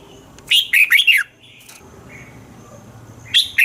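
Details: Red-whiskered bulbul song from Thailand for rousing caged birds: a cheerful phrase of four swooping whistles, a soft pause, then the start of another phrase near the end.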